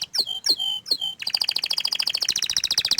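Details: Orange frost canary singing three clear descending whistles with short tails, then breaking into a dense, buzzy trill that climbs higher over about two seconds.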